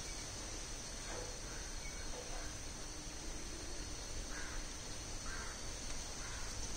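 Malabar grey hornbill giving several short, harsh squawks, roughly a second apart, over a steady high insect hiss and low background rumble.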